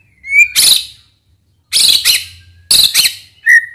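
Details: White-rumped shama song played as a lure to provoke silent or unresponsive shamas and as tutoring material: harsh, rasping bursts in three groups, bracketed by short rising whistles.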